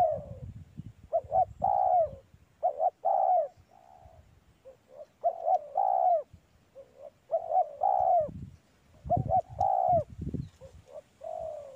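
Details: Spotted dove calling while perched in a mango orchard, a sought-after target bird, gives repeated throaty coos in clusters of two or three notes with short gaps, over low thumping background sounds.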